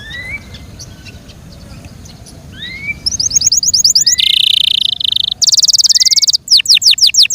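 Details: Yorkshire canary kept as a pet: faint scattered whistles at first, then fast repeated chips, dense buzzy trills, and closing falling whistled sweeps.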